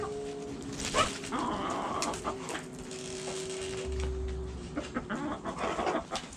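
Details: Backyard hens clucking: scattered low clucks and a few sharper squawks spread through the recording, over a low steady hum and light background noise.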